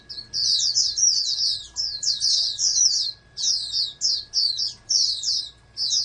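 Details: Loud, high-pitched warbling song of a caged oriental white-eye bred as a national champion candidate, quick strings of slurred chirps in phrases separated by short silences.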